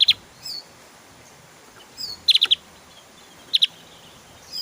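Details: Javan grey-throated white-eye delivering 'tembakan' bursts, used to train cage songbirds: a few short groups of clipped, high-pitched chirps separated by pauses, with faint softer notes between them.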